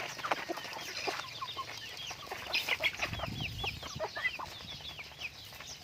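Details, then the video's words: Pet chickens being raised, many birds giving repeated high arched whistled peeps in rapid overlapping series, with soft clucks and a low rumble in the background. "pets chickens / raising chickens"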